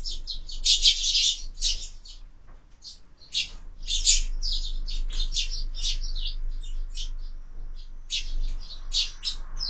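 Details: Sparrows brawling at a window feeder where birds are fed all year; irregular short chirps, about two or three per second, with a loud chattering burst early on and a brief quieter gap midway.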